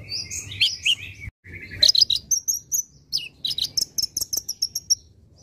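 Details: Olive-backed sunbird (konin), a caged bird, in a lively masteran song for training other cage birds: high, sharp chirps and buzzy warbled phrases, then rapid repeated clipped notes and thin whistles near the end.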